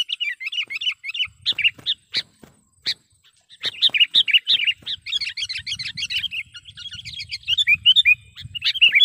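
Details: Trapping lure call of a sooty-headed bulbul: bouts of fast chattering, slurred notes broken by a few loud sharp clicks, with a dense burst of overlapping chirps near the end.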